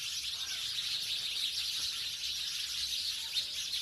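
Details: Many house sparrows in a village chirping together, producing a shimmering, continuous high twitter throughout.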